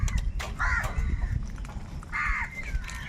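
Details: Crows fighting for food: two long, rough caws stand out, each about half a second, among fainter calls of the large flock and low rumbling noise.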